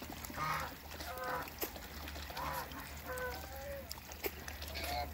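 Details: Toulouse gander and African goose kept together in a backyard for hybrid breeding, calling in a series of brief harmonic honks about once a second, some rising slightly, with background rustling and low hum.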